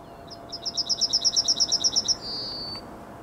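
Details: Yellowhammer singing in the morning on 9 May 2021: a quick run of about fourteen bright, high, evenly repeated notes, then a long drawn-out thin note. Faint background hiss.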